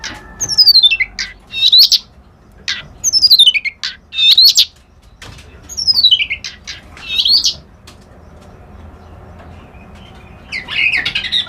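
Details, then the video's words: Reed warbler singing: loud, clear whistled phrases that slide steeply downward and end in a sharp upturned flick, repeated about every two seconds with short clicking notes between. A softer, buzzier phrase closes the sequence. "Suara Burung Kerak Basi Alis Putih"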